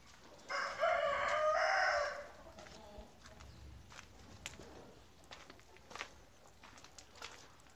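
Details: Chicken on a farm, recorded during a short tour. A single loud, harsh, drawn-out squawk lasts about a second and a half, followed by quiet scattered clicks and faint rustling.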